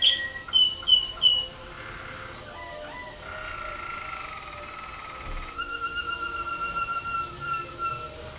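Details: Contest Waterslager canary, caged, 2011 WWC show, scored 114 points with 6 Klok and 5 Bol: three loud ringing notes open, then soft gurgling phrases, a long steady tone, and a rapid pulsing roll.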